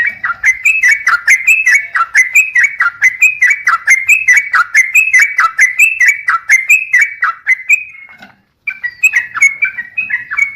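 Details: Sooty-headed bulbul in a lure recording meant to set other bulbuls singing: bubbly, liquid phrases of short rising and falling notes repeated about once a second, a brief silence near the end, then the phrases resume.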